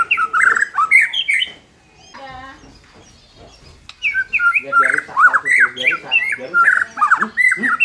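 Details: White-rumped shama song meant to make a less fighting-minded bird more competitive: rich whistled slurs, then a pause with a harsh rattling note, then the fast varied phrases resume.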